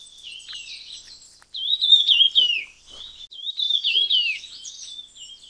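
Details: Red-tailed minla (Minla ignotincta) gives two bursts of high, rapid warbling twitters, each about a second long, over faint background chirping.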